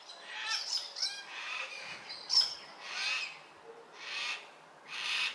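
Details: Baudin's black cockatoos, fourteen birds, feeding on marri seeds at Narrikup on 23 December 2022; rasping, broad squawks rise and fall in repeated surges, with a brief sharp high note among them.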